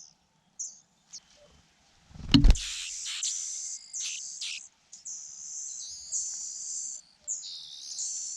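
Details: Fujian niltava chicks beg as their mother feeds them at the nest: a few short high squeaks, a loud thump, then a continuous harsh, hissing chorus of very high begging calls in long overlapping bursts.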